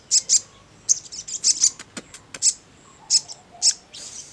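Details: Sogon chattering ngleper-style, with irregular high chirps, short doubled notes and faint twitters between them, plus a few soft clicks.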